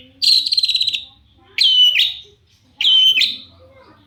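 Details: Long-tailed shrike lure sound meant to draw other shrikes: three harsh, buzzy, nasal rasps, each about half a second long, spaced roughly every second and a half.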